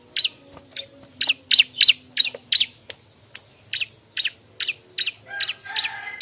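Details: Lure recording of a bar-winged prinia noisily looking for a mate: rapid, sharp high chirps in a running series, briefly pausing, then resuming, ending with a rougher, buzzier note.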